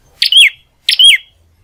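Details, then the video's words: Domestic prinia in full clear song: two identical phrases under a second apart, each a rough chip followed by a bright whistled note that swoops downward. "Burung Prenjak Gacor Suara Jernih Rumahan"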